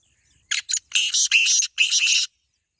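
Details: Black francolin, known locally as kala teetar, calling in a contest between two birds: a harsh, grating phrase of about six rasping notes, a short first pair followed by longer buzzy syllables, over a quiet background.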